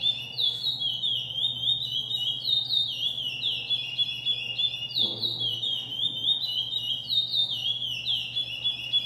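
A Chestnut-bellied Seed-finch sings a continuous run of clear, high whistled slurs that dip and rise in quick phrases, over a low steady hum.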